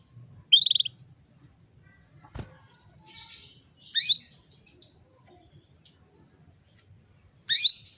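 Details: Female canary calling to stir males into breeding readiness: a brief fast trill, a click, then two short bright chirps spaced over several seconds in otherwise quiet surroundings.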